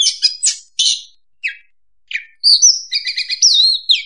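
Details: Oriental magpie-robin lure song used for trapping: scattered chirps and short buzzy notes, then a run of clear whistled phrases switching between high and mid pitches, all with a clean, quiet background.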